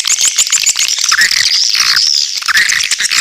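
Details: Lure call of swiftlets: strings of fast, high ticking chirps and a few downward-sliding squeaky notes over constant thin twittering.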